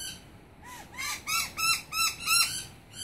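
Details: Noisy miner; alarm call; warning of a snake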